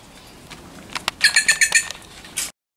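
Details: Wild bird drawn close to a person by food. A rapid run of six or seven bright, buzzy, ringing notes is delivered in about a second, with a few soft ticks before and one more burst at the end.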